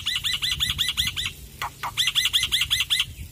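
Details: Black-winged myna, a loud-singing male of this Indonesian endemic. Two bouts of rapid, evenly repeated arched notes, roughly five per second, are split by a brief pause with two lower downstrokes.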